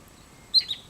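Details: Wood sandpiper on early autumn migration, 27 August: a single brief high whistled call of two quick notes, the first sharper and louder, against a low steady hiss.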